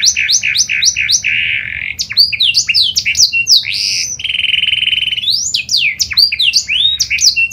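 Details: Lure song of a kenari panda canary to get other canaries singing: quick repeated chirp pairs, a buzzy roll, varied sweeping whistles, then a long steady roll and further rising notes.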